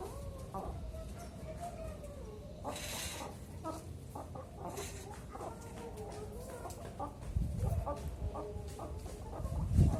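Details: Zebra dove aged four to five months, kept for song training on a hoisted cage pole, with practice advised in the morning between 9 and 10. A run of soft, mellow coos with gentle rising and falling notes sounds over constant low hum and brief hiss.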